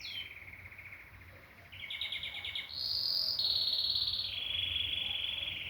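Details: Singing canary moves through distinct sections: a steady trill, a faster rattling roll, then a high ringing tone and lower sustained rolling whistles.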